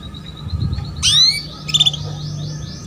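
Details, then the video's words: Female canary calling to prompt a male to sing: a loud, steeply rising whistled sweep followed by a short buzzy burst and a thin, fast trill, with low rumbling noise beneath. "KENARI BETINA MEMANCING JANTAN"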